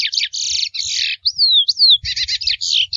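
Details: Forest-dwelling wild curió mateiro, the Chestnut-bellied seed finch, mixes dense buzzy rattling bursts with a single long descending whistled glide, then resumes the rapid harsh chatter.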